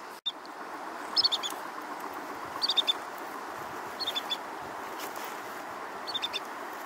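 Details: An ibisbill from a flock foraging on the Sindh River bank, Ganderbal, Kashmir, in winter gives four short bursts of two or three high, piping notes about 1.5 seconds apart, over the steady rush of the river.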